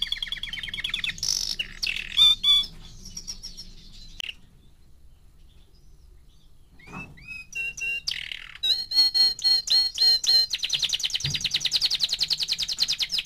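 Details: Four-month-old canary singing: trilled phrases and rapid repeated notes, a quiet pause midway, then bright whistled tones and a fast buzzy trill at the end.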